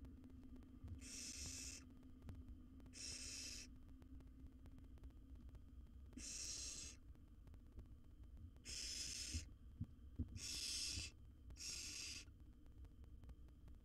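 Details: Wild barn owl nestling in a monitored nest box, swallowing a rat; six loud, harsh, hissing bursts, each under a second, spaced irregularly over a low background hum.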